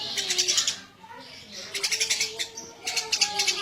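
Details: Eurasian tree sparrow in lively full voice, giving three quick bursts of harsh, buzzy chirps, each a fast run of about six notes, with softer tonal murmurs beneath.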